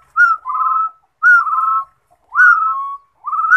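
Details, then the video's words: Rufous-throated partridge singing: three clear whistled phrases about a second apart, each a short rising whistle dropping into a lower, level whistle, with silent gaps between. "Rufous - throated Partridge # Yij Coj Kum Quajsuab Suab Yij Quaj"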